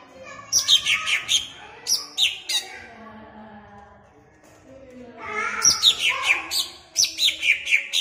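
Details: Caged greater green leafbird recorded in Ampelgading, Pemalang to excite caged birds: quick high whistled notes sliding downward, a quieter gap of about two seconds, then a fuller burst of varied slurred notes.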